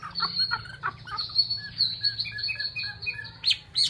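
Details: Chinese hwamei singing: a sustained high whistle with soft lower warbled notes beneath, then sharper rising notes near the end.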